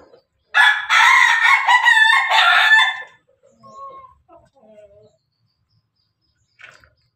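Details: Pelung Bangkok rooster feeding with hens. The clip opens on a loud, hoarse crow of about two and a half seconds with a brief break midway, then trails into faint, scattered clucks and soft notes.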